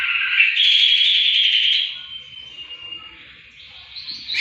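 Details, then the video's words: Greater green leafbird song meant for tutoring songbirds: a strong, sustained warbling trill that fades into a thin steady whistle, then rises again at the end. "Kicauan cucak hijau untuk masteran"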